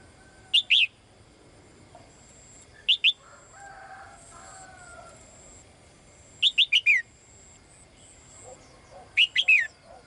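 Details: Female bird calling the male: short clusters of two to four sharp high chirps repeated every few seconds, with faint lower whistles from other birds between them.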